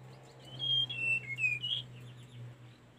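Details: Tledekan gunung song used to train caged birds: one clear high whistled phrase of pure notes stepping downward, then a brief rising flourish fading into a low hum.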